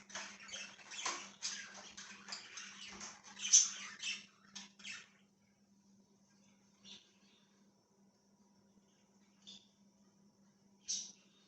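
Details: Budgerigar chirping: a dense run of scratchy, buzzy warbles and squawky chirps for about five seconds, then a few isolated short chirps spaced well apart, over a steady low electrical hum.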